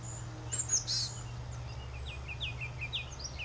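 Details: Ruby-crowned kinglet: a series of quick, high, downslurred notes repeated about every half second after a brief sharp, very high burst, against constant low-frequency background noise.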